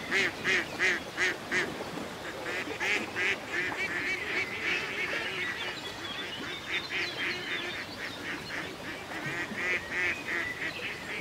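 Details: Ducks on a country lake quack in a rhythmic run, loud strident notes about three per second at first, then a looser chorus of softer quacks with continuous water ambience behind.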